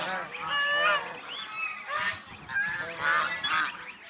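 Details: Domestic swan goose, also called Chinese swan goose, seen playing, bathing, resting and fighting: loud, harsh, nasal honks in overlapping bursts, rising and falling in pitch, three main surges across about four seconds.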